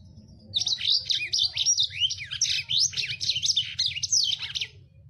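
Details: A Lemon-breasted Canary (Crithagra citrinipectus) sings a fast, continuous twittering song of high, sweeping whistles and buzzy trills, a song described as very rough and full speed, with a low hum underneath.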